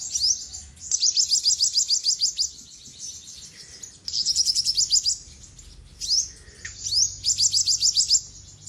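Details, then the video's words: Olive-backed sunbird singing thin, very high twittering trills in quick bursts of one to two seconds, with short pauses between them. "Olive backed Sunbird Singing"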